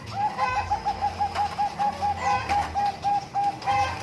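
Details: Bangkok-type zebra dove (perkutut) song at umbaran: about a dozen short, clear cooing notes repeated roughly every quarter second at an even pitch, with soft low background rumble.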